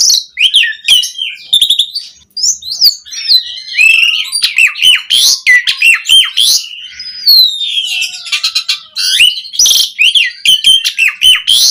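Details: Asian pied starling singing a varied, energetic training song meant to tutor and coax captive starlings: dense, continuous torrent of harsh, squeaky and whistled notes, high-pitched and jumbled, with barely any gaps over nearly twelve seconds.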